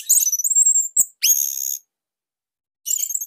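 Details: Orange-headed thrush from Bali, a master song for other songbirds; rapid high warbling followed by a long, steady, piercing whistled note, then a pause and another fast twittering burst.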